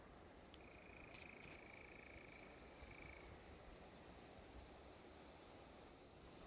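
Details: A European nightjar churring at Wiggonholt Common around 9:30 pm in drizzle, giving a steady, even-pitched mechanical churr for about three seconds before breaking off, under heavy low wind rumble; at least two birds present.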